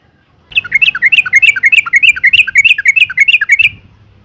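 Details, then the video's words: Female yellow-vented bulbul calling to provoke males, a fast, bubbly run of about a dozen liquid notes, roughly three per second, rising and falling, over faint room noise. "suara panggilan burung trucuk betina"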